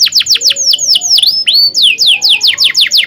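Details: Canary singing a long tutor song for learning canaries: rapid series of clear downward-slurred whistles, a swooping dip and rise in the middle, then more quick falling notes repeated evenly.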